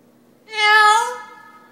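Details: A pet talking parrot, asked what a kitty says, answers with one convincing cat-like meow: a smooth, nasal, mid-pitched tone that swells, lifts slightly and trails off in under a second.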